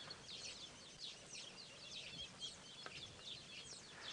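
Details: Weaver chicks in their nests beg adults for food at sunset after wet weather on 19 March 2017, with females arriving to feed them. A dense, continuous chorus of thin, high chirps and squeaks, many voices overlapping, over faint background rumble.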